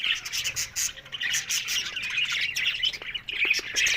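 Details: October 1 recording of budgerigars talking: busy overlapping warbled chirps in bursts, a lively flock chatter with a few clicking notes.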